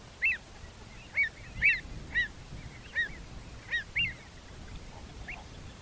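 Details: Avocet field recording: a rapid series of short, clear, piping 'kluit'-like notes, about two per second, some doubled and overlapping as several birds call together, over a low rumble of background noise.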